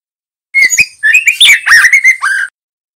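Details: Young male white-rumped shama, a spotted juvenile, used as a lure and master recording to help young birds learn song: a two-second run of loud, varied whistled phrases with slurred and warbling notes, quick rising and falling inflections, no background sounds.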